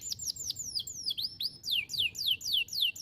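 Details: Canary song for songbird training: a brisk string of sharply descending whistled notes, about four per second, bright and clear.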